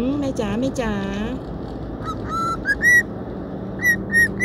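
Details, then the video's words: Happy pet cockatiel out on an outing, whistling the national anthem: a woman speaks first, then a run of clear whistled notes, some rising and some repeated. "นกค็อกคาเทลแสนรู้ น้องมงคลร้องเพลงชาติตลอดทางดีใจได้ออกไปเที่ยว"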